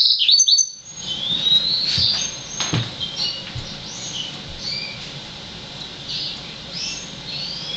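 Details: Immature Yellow-fronted canary x Black-throated canary hybrid, six months old, starting with a loud high burst of twittering, then fading into quiet, thin whistled fragments and soft chirps against low background hum and a few clicks.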